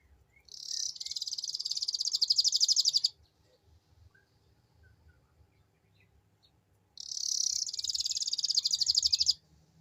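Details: Canary lure song in ngeriwik style: two long high-pitched rapid trills of about two to three seconds each, separated by a four-second quiet gap with faint low background noise.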